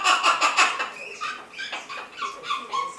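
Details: Cheerful pet Amazon parrot calling as it dances with feet kicked high: quick rasping bursts at first, then a run of shorter nasal squawks and chatter at varied pitch.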